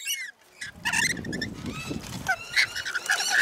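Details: Rainbow lorikeets in a feeding frenzy at Mount Tamborine, Queensland, Australia: shrill screeches and chattering calls overlapping, over a low rumbling background noise.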